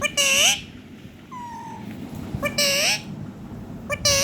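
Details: A pet Indian ringneck (rose-ringed) parakeet, talking and singing, gives short, bright, speech-like bursts with sliding pitch, spaced about two seconds apart, and a thin level whistle between them.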